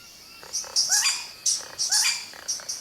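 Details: Male Vogelkop Bowerbird mimicking a tiger parrot: three bursts of high, harsh chatter, each with a rising whistled note, about once a second.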